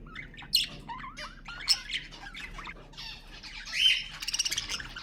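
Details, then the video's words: Budgerigars chatter with wavering whistled notes and scratchy squawks, a long buzzy call near the end followed by a quick run of clicking pulses, sound used to encourage budgies. "اقوى تحفيز لطيور البادجي أقوى أصوات البادجي المحفزة"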